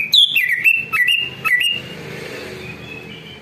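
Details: Greater green leafbird song, played as a lure so other birds answer: bright whistled phrases with swooping slurs and sharp chips in the first two seconds, then a faint continuing warble.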